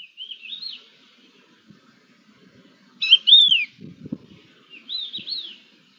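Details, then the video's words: Crested larks calling back and forth, recorded 11 October 2021: soft rising-and-falling whistles at the start, a louder slurred whistle midway, then another wavering whistle, over faint low rustling and a brief thud. "Conversación entre cogujadas"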